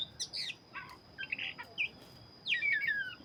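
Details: Black-breasted oriental magpie-robin in full song, quieter here, giving scratchy chirps and a few short notes, then a louder falling whistled phrase near the end against soft background noise.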